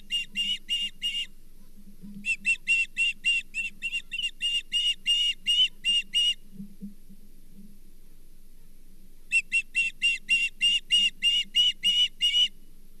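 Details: Osprey calling at the Charlo nest with a brown bullhead fish on 24 April 2023: three bursts of high whistled chirps, each a rapid even series of about five to twelve notes, separated by silent gaps, with a faint background hum.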